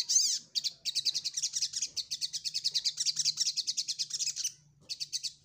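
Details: Ruby-cheeked sunbird seeking a rival, opening with one loud high chirp, then a long, rapid, even run of thin ticking notes lasting about four seconds, a short pause, and a brief final burst.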